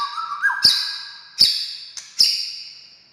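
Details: White-rumped shama (murai batu) song used as a lure to make quiet shamas answer and sing: a short whistle near the start, then three sharp cracking notes, each with a bright high tone fading over about half a second.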